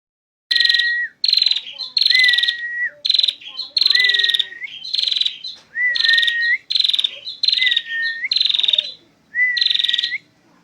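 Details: Female prinia singing in the full ngentir style: loud buzzy rattling bursts alternating with a clear sustained whistle that dips and rises at its end, repeated in steady phrases roughly every second.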